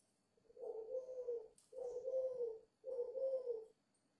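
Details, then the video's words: Three even, low coos from a five-month-old dove, each close to a second long, spaced with brief pauses against a quiet background. "chim cu 5 tháng gù hơi máu lửa"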